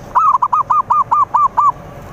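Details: Zebra dove song played to lure rivals, a rapid series of about nine clear, bell-like arched coo notes at even spacing, steady and loud over faint background hiss.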